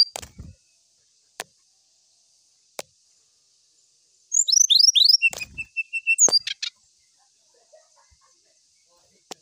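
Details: Brown-chested jungle flycatcher song, seeking a rival, after scattered sharp clicks: a quick cluster of high, arched whistled notes, then a string of short, level repeated notes and a few more slurred whistles before falling quiet.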